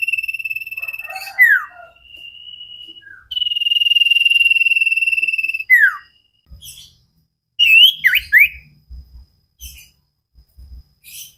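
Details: Common iora in sirtu-style song, recorded to train cage birds: long pulsed whistled trills, each ending in a sharp downward slurred note, followed by quick rising-falling chirps and scattered low thumps.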